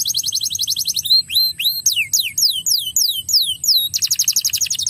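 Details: Crested canary song played to prompt young canaries to sing: a fast high trill gives way to slow, loud, downward-sweeping whistles about three per second, then another rapid trill.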